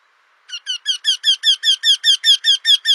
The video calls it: Singing Eurasian Wryneck (Junx torquilla)